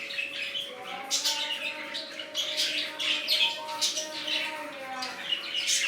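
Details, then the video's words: Newly formed budgerigar colony calling together: continuous busy twittering of many small parrots, sharp chirps and buzzy warbles layered thickly, with a low constant hum in the background. "Budgies Parrots New colony"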